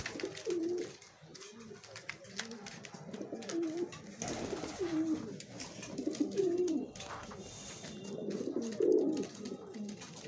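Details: Pigeons vying for food coo repeatedly in low, throaty, wavering phrases spaced through the recording, with frequent sharp clicking and a brief rustling burst in the middle.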